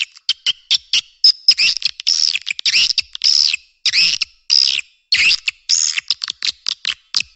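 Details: Swiftlet calling sound made to lure the birds, new year 2023: a fast series of short harsh chirps and longer buzzy twitters, about a hundred per minute, irregularly spaced.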